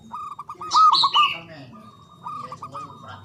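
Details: A local Java zebra dove sings to encourage silent doves: a short run of clipped, pulsing coo notes, overlapped by a sharp descending chirp series from another bird.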